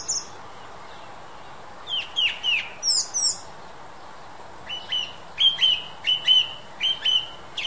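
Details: Western European song thrush: a cluster of squeaky high notes, then after a brief silence a level whistled note repeated five times at a steady, deliberate pace. No other sounds intrude.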